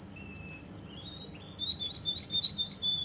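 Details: Russian canary in Kuwait sustaining a high whistled note over quick pulses, then shifting into a wavering, rapidly repeated warble roughly four times a second.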